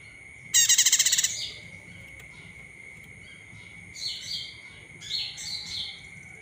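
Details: Olive-backed tailorbird call used to stir other birds to sing: a loud, fast trill of crisp repeated notes under a second long, followed after a pause by softer paired chirping notes, with a steady high background tone.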